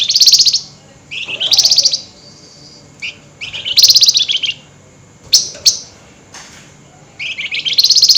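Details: Flameback calling at night, highly agitated, in a rattling style known locally as nyerecet; high, dry buzzy rattles of about half a second, repeated in clusters every one to two seconds, some short chips between bursts.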